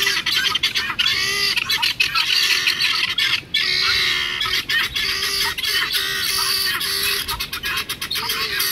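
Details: Pet helmeted guineafowl, recorded 31 March 2016, give harsh, grating squawks in a rapid, continuous chatter.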